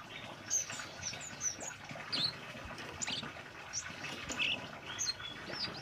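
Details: Orange-headed thrush song, energetic and varied, meant for teaching caged birds: a busy jumble of very high twitters, squeaky slurs and short whistles delivered almost without a break.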